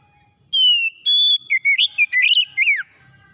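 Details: Oriental magpie-robin singing in the morning, used to revive stressed birds: a long, slightly falling pure whistle, then a higher steady whistle, then a quick run of varied slurred and chirping notes.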